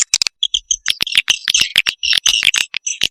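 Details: Lure sound to attract swiftlets: squeaky chirps and clicks in quick succession, with soft twittered notes between them.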